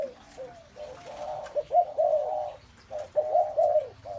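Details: Spotted doves, many calling at once, fill the scene with low, soft hooting coos that overlap in uneven bursts, some phrases slurred and rolling, with a faint steady high-pitched electronic whine throughout.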